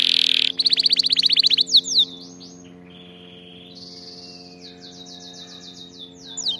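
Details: Song for training canaries to sing: a loud burst, a fast pulsed trill lasting about a second, then quieter drawn-out buzzy rolls and faint chirps, with a steady hum behind.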